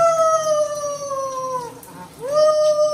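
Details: Indoor pet Amazon parrot crying in refusal of its bath: a loud, sustained, whining wail that slowly sinks in pitch, breaks off briefly, then rises again into a steady, held cry.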